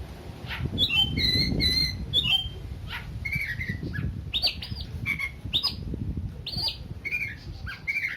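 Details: Oriental magpie-robin song intended to raise aggression in a weaker bird: varied whistled and scratchy phrases, some notes doubled, delivered rapidly throughout over a low rumbling background.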